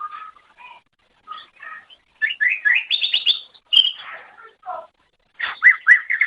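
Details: Greater green leafbird in energetic song, meant for training pet songbirds: soft scattered notes build into fast rising whistled runs and trills, then a pause and a final burst of sweeping slurred notes.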